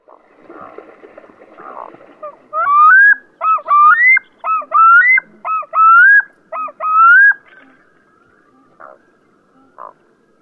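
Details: Black-throated loons on a mountain lake in the Altai, June 2014: a run of six loud wailing phrases, each sliding up then curling down, given about once a second, with fainter murmuring calls before and after.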